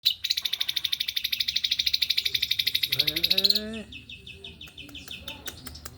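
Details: Male white-rumped shama singing in fast, dense pentet style: a rapid run of sharp high notes repeated about three times a second for over three seconds, then shorter lower phrases and scattered clicks.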